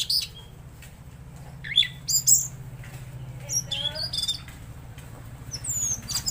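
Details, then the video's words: Tledekan laut singing actively: scattered sharp high whistles and brief buzzy chips with pauses between phrases, and a few falling slurred notes near the end. A steady low hum lies beneath. "Masteran Burung Tledekan Laut Gacor"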